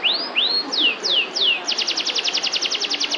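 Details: Canary in kalitan style singing: a few slow downward-sweeping whistled notes, then a fast, even trill of short falling notes repeated roughly eight times a second, with faint background hiss.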